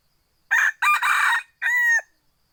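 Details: F2 hybrid junglefowl rooster, a second-generation wild cross, gives a full crow: clipped opening note, longer hoarse middle section, then a steady ringing tail held about half a second.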